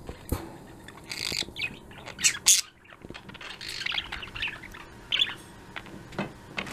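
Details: Afternoon chatter from a pet budgerigar flock: scattered chirps and scratchy warbles, some sharp loud clicks and squawks, over a steady low background hum.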